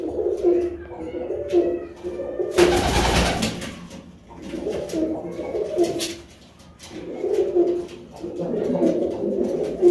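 Pigeons give low, throaty rolling coos in bursts of a second or two, repeated through the clip, with a loud rustle of wingbeats near the start.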